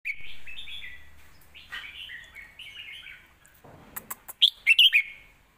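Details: Caged red-whiskered bulbul delivering a scoring competition song for teaching young birds: a flowing run of slurred warbled phrases, a few sharp clicks, then a loud bright flourish of quick notes at the end.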